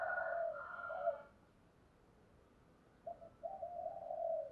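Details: Spotted dove decoy cooing to attract wild birds: a rougher, buzzier phrase at the start, a silent gap, then a short note and a long, low coo.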